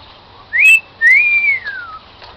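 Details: Pet cockatiel whistling a tune learned as "Song of the Garden": two clear whistles, a short rising note, then a long one that rises, holds and glides down, with soft room noise behind.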